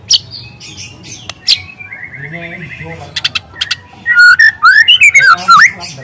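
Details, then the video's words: Wild young spotted White-rumped Shama: scattered clicks and a buzzy repeated note, then a loud, fast, tumbling series of whistled and chattering notes. "Suara asli murai lepas trotol dengan tembakan kenari panjang dan keras"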